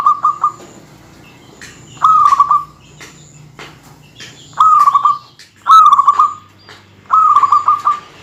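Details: Zebra dove of local stock in full song to rile rivals, giving short trilled cooing phrases about every one and a half to two seconds. Five beaded, stuttering bursts are heard, with soft clicks and rustles in between.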